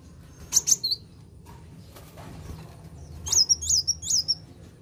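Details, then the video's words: A kolibri wulung sunbird gives thin, very high twittering notes in two short bursts, the second a quick run of sharp, rising-and-falling chirps, a sound used to provoke other birds into singing. "Ampuh Pancing Emosi Kolibri Wulung"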